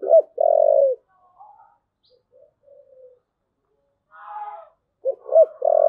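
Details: Spotted dove in thúc gù style: a short note and a long even coo, then quiet murmurs and a brief richer burst. A final phrase has two clipped notes and another drawn-out low coo.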